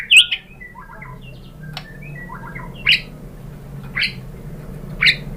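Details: White-rumped shama song used as a singing lure: quieter scattered whistled notes and short chips, with sharp loud call notes roughly once a second over faint background hum.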